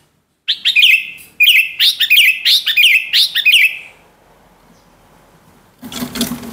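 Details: Female greater green leafbird giving its ngentrok call: a rapid series of sharp, chirping notes with rising strokes, bunched in two bursts over about three seconds, followed by quiet and a short rustling noise at the end.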